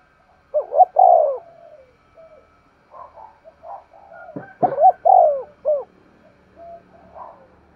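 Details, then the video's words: Spotted dove decoy bird calling, two loud coo phrases, each a short double note followed by a long falling coo and a hooked final note, with softer low murmuring coos and a brief knock between them. "Tiếng chim cu mồi thúc gù// giọng bén bổi"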